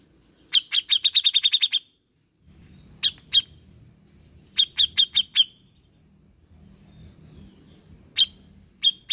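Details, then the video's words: Recording of a grey-cheeked bulbul meant to provoke a silent bird into song: a fast run of about ten high chirps, a pair of notes, a group of five, then scattered chirps over a low background hum. "Pancingan Cucak jenggot malas bunyi"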